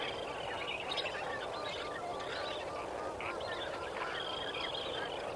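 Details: Lesser flamingo flock at Kamfers Dam on the morning of 18 May 2024 at sunrise, many birds honking and gabbling together, with a few drawn-out, higher nasal calls rising above the continuous background din.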